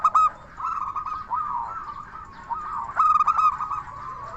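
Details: Local zebra dove from Indonesia, crystal-voiced lure song: a short burst of rolling, staccato coos with one loud, bright ringing phrase about three seconds in.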